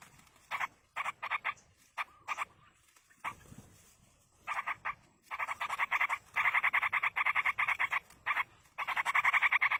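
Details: Yellow-vented bulbul chicks begging in the wild as a parent feeds them: rapid bursts of harsh, buzzy repeated notes, several per second, coming in clusters separated by short pauses, then a long continuous run toward the end.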